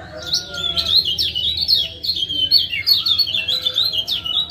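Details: Lombok lemon-bellied white-eye male giving ciak calls meant to stir a silent caged male into song: continuous rapid, high, sharply slurred chirps throughout, with a faint lower whistle early on.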